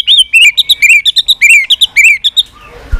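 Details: White-rumped shama giving continuous 'tạch' calls to rouse weak birds: rapid crisp high notes and rolling whistles, about five per second, fading at the end.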